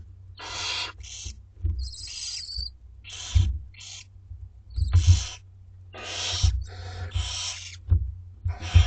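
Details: Begging barn owlets, two weeks old, at feeding time in a school garden box: a busy series of overlapping, hoarse, hissing screeches of varying length, with low thumping rumble underneath.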